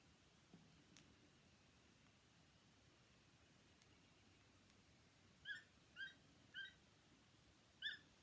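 Toucan giving four short, croaky mid-pitched notes about half a second apart, with a pause before the last, after several seconds of quiet.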